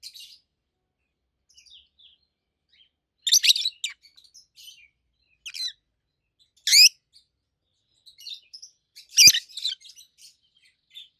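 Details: Two pet adult rosy-faced lovebirds calling: scattered loud, high, harsh chirps every few seconds, including a sharp upward-sweeping note, separated by faint twitters and silence.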